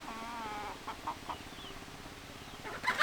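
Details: Chicken calls: a quiet, drawn-out harmonic note with wavering tones in the first second, followed by several short soft clucks and a louder burst at the end.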